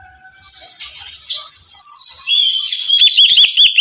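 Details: Greater green leafbird song starting with soft, drawn-out whistles, then building into a loud run of rapid, looping chirped notes repeated several times a second.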